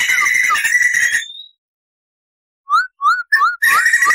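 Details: Tutor recording of a white-crested laughingthrush in full voice: a long rapid roll with dipping notes, silence, then three or four clear upslurred whistles before the trilling returns.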